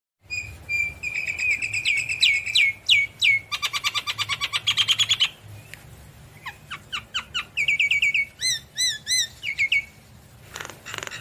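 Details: Javan myna singing energetically while nodding its head: varied bright whistles and sliding notes, then a fast buzzy rattle, followed by clipped whistles and looping wavering phrases, all high-pitched and repeated in quick bursts.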